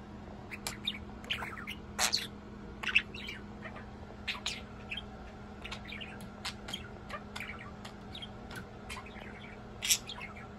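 A budgerigar chatters in quick, scratchy chirps and squawks over a low steady hum.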